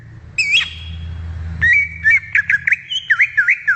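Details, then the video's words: ['Greater green leafbird in the wild: a high whistled flourish, then a long steady whistle breaking into rapid repeated curved notes about five per second, above a faint low hum.'] "SUARA ASLI CUCAK IJO DI ALAM LIAR"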